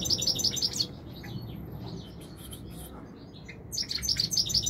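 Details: European goldfinch, called royal goldfinch, singing in 2021: bright twittering bursts of quick high notes open the song, then a quieter stretch with scattered faint chirps, before a renewed run of rapid repeated high notes.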